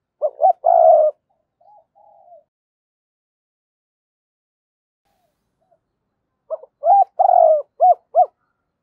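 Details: Spotted dove giving 'giọng thổ' style coos to prompt a decoy bird to call: a clipped phrase of short notes and one longer coo, a few faint notes, a long silence, then another burst of rapid, arched coos.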